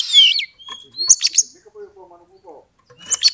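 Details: Oriental magpie-robin song used to provoke a fighting rival: descending slurred whistles, buzzy rasps and clicks, followed by soft low warbling and a final harsh burst.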